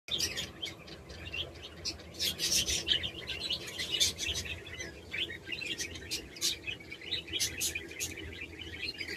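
Budgerigars chatter in a busy stream of high, scratchy chirps and squeaky tweets.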